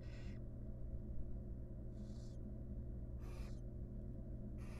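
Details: Wild barn owls in a monitored nest box as the mother grooms her chicks: four short breathy hisses, spaced about a second apart, over a steady low electrical hum.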